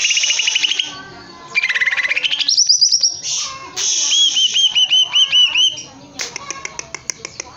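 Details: Caged greater green leafbird singing energetically: a rich, varied run of bright whistles, rising slurs and fast rattling trills, with high sweet notes repeated in a quick string.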